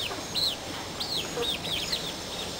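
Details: Chickens in a backyard flock: a series of high, thin, arched peeps, about five to six in under three seconds, over a steady low hiss.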